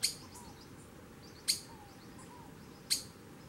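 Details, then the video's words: Three explosive, high squeaky calls from a Streaked Flycatcher, evenly spaced about one and a half seconds apart. Soft low whistled notes sound faintly between them. "BEM-TI-VI-RAJADO chamando (Myiodynastes maculatus) Streaked Flycatcher"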